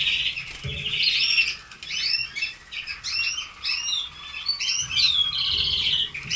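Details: Red canaries warble in bursts of fast trills and sharp upslurred whistles separated by brief pauses, with light fluttering and low thumps heard in the background.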